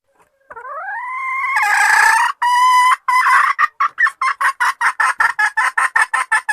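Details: A red junglefowl hen calls the male, opening with a long rising nasal wail that swells in loudness, then two strained notes and a rapid, steady string of short cackling clucks until the end.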